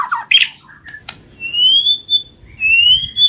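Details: White-rumped shama song used to prompt singing and mating: a few sharp harsh notes, then two long clear whistles gliding slowly upward, each about a second long.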